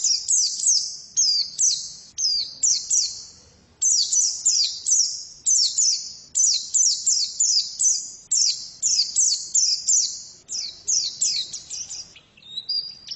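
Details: Female white-eye giving a long, rapid twittering song: very high, clipped chirps tumbling in quick descending runs, nearly continuous with only a couple of short pauses. No other clear sounds.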